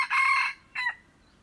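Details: Red junglefowl on 21 February 2025: the tail of a rough, buzzing crow, then a short pause and a clipped final syllable fading into quiet.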